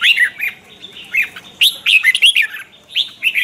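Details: Red-whiskered bulbul practising its morning song in the twisting-voice style, used as lure sound for training birds. Short, bright whistled phrases of a few swooping notes each, separated by quiet gaps.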